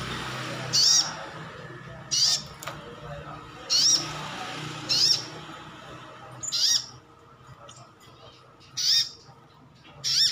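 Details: Kept sunbird (sogon, also known as sogok ontong or sriganti) giving wild-type calls to provoke answers from other birds: brief, piercing high chips spaced one to two seconds apart over a low hum.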